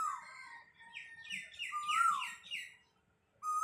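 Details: A large Asian koel perched close in a bael tree, where it comes to call every day each year, gives slurred whistles then a quick run of about five rising, ringing notes; another koel calls elsewhere.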